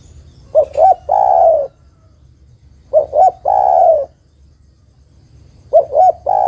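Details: Spotted dove, a female calling the male, gives repeated coos. Two quick soft notes lead into a drawn-out, gently descending coo, and the phrase comes again every two to three seconds against low background hum.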